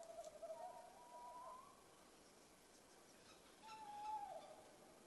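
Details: A male and female tawny owl trade calls in Estonia, March 5, 2020, at 20:37. The male gives a drawn-out, hollow, mid-pitched note over a second long, then the female answers slightly higher two seconds later over a soft, steady hiss.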